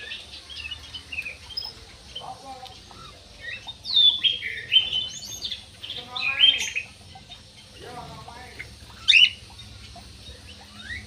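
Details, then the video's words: Jumbo parakeet in an aviary with sharp rising and falling chirps and harsh chattering notes scattered through, one loud squeak near the end, over low steady background hum. "PARKIT JUMBO"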